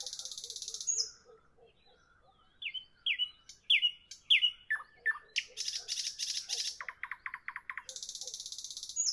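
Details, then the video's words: Nightingale in evening song: a buzzy rattle, a pause, a series of loud rising whistled notes over soft low clicks, then pulsed rattling notes and a final harsh buzz. "Evening nightingale, nightingale song, nightingale"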